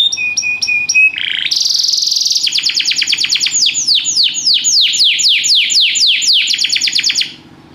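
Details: Canary singing with spectacular rhythm: a few steady whistled notes, a brief buzzy trill, then a long run of fast descending sweeps repeated about four per second, ending abruptly.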